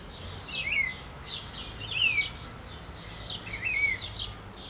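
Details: Trinca-ferro, the green-winged saltator, gives three bright whistled notes that swoop downward, spaced about a second apart, over a dense backdrop of high twittering from other birds and faint outdoor noise.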